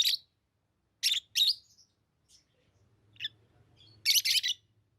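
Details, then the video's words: Lovebirds kept as pets give sharp, screechy high chirps in pairs, a few faint notes, a low murmur, then a final rapid triple burst. "Love birds Sounds | lovebirds chirping sounds"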